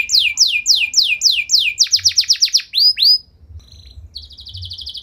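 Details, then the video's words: Energetic canary song intended to stir other canaries to sing: quick series of descending slurred whistles accelerating into a dense trill, two rising notes, a soft gap, then a high buzzy rattle. "Kenari Gacor Nembak Panjang Cengkok Mewah! Bikin Emosi Kenari lain Naik Langsung Nyaut Ikut Gacor"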